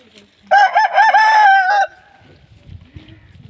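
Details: Aseel rooster crowing: one loud, harsh, wavering crow lasting about a second and a half, stuttered at the start then held steady before breaking off, followed by quiet background rustling.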